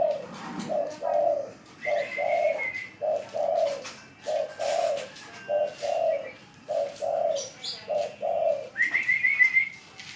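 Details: Tame spotted dove cooing on command: regular low, rounded coos in pairs and triplets throughout, with a rising whistled phrase from another bird twice and light clicking noises.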